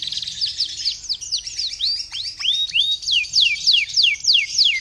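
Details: Singing canary used as a lure for other canaries: a lively mix of steep downward whistles and rising slurred notes, repeated roughly three per second against a faint high buzz.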